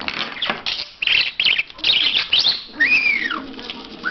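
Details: Talking parrot, kept indoors, that speaks words in English, German and Turkish: scratchy, voice-like squawked syllables in quick bursts, then a clear rising and falling whistled slur.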